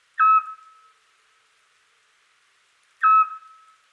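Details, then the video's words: A Eurasian scops owl on a quiet spring night in Europe gives two short, pure, mellow whistled notes about three seconds apart, repeated to advertise its territory and attract mates, against a silent background. "The sounds of the Eurasian scops owl"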